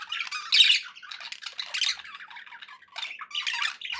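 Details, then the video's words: Budgies chattering to keep pet parakeets company: a loud squawky burst, then softer twittering and buzzy warbles, rising again near the end. "budgie sounds for pet parakeets to make tham happy"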